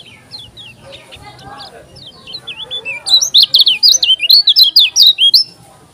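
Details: Lombok yellow-crowned bulbul singing energetically. Soft scattered chirps build into a loud, fast chain of high, wavering whistled notes for nearly three seconds, then fade.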